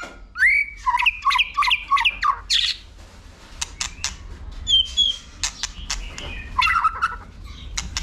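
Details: White-rumped shama, tail flicking, singing to be stimulated for song contests: a fast series of rising and falling whistled notes, then sharp clicks and scattered whistles over low background noise.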